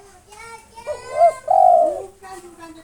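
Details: A single phrase from a local spotted dove singing to provoke rivals: two brief rising notes then a drawn-out coo, with a faint background whistle or voice.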